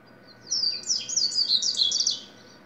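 A double-collared seedeater sings a fast, high, jumbled warble of chirps and trills lasting about two seconds, with a faint steady hum behind it.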